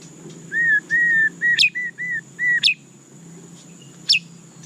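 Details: White-rumped shama song of long, level, pure whistles repeated in a series, each cut by a sharp upward flick, with silence near the end before one last flick; faint steady high hum throughout.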